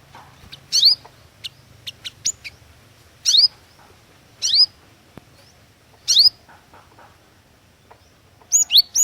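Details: Cinereous tit (glatik watu) singing vigorously as a lure: sharp, high slurred notes that dip then rise, given singly or in pairs about every one and a half seconds, with faint clicks between.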